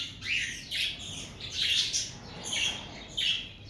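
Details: Breeding-season cockatiels: scratchy, squawking chirps come in quick bursts, five or six across a few seconds, each sliding upward then dropping, over a faint low rumble.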